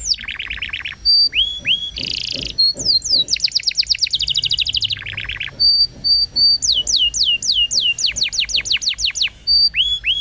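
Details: Canary song for training young canaries. Varied phrases of falling whistles, a dense buzzy burst, rapid rising trills, short flat whistled notes and repeated downward slurs follow one another without pause.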